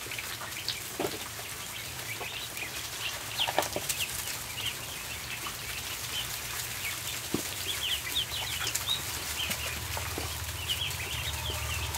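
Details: Ducklings gathered in a barn during feeding time, their high, brief peeps scattered and overlapping, thickening toward the end, over a low mechanical hum with occasional knocks and rustling.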